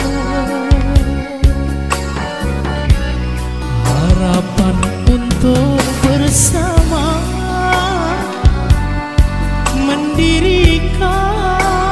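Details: Full-band music with a singing voice and steady instrumental backing; no animal calls stand out.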